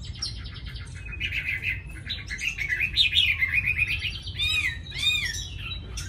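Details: Tame Chinese hwamei with a fine voice giving soft warbled whistles, then two loud, ringing, arched notes near the end.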